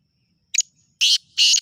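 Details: Black francolin call: a brief double-clicking note, then two loud, drawn-out, scratchy bursts about a third of a second apart.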